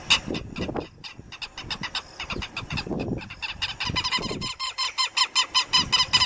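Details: Webcam recording of Southern lapwings: scattered harsh notes amid low thuds and rustling noise, building into a loud, regular series of strident, rasping calls toward the end.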